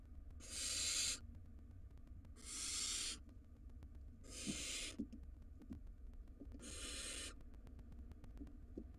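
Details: Barn owl nestling, wild, in a monitored nest box, swallowing a rodent: four loud, airy hisses roughly every two seconds, fading toward the end, with faint clicks and a low rumble underneath.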